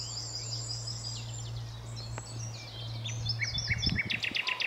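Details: Nightingale singing at Alners Gorse in Dorset: soft high warbled notes becoming a rapid series of sharp repeated chips near the end, over a steady low electrical-sounding hum and background hiss.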